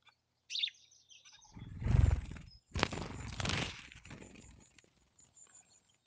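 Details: Female black-capped chickadee fighting back against a house sparrow, giving two explosive, breathy hiss vocalizations lasting about a second each after one brief high chirp; a low rumble sits underneath.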